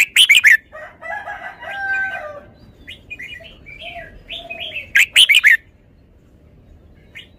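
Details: Red-whiskered bulbul singing: two loud, rapid bursts of four sharp, bright notes at the start and near the end, with softer warbled and whistled phrases between them.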